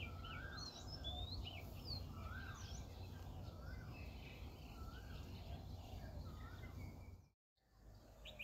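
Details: A rare transit-migrant plumbeous water redstart (Phoenicurus fuliginosus) in woodland in Hong Kong, 7 November 2022, gives quick, thin, high chirps and short twitters at a rapid pace over a steady low rush like running water.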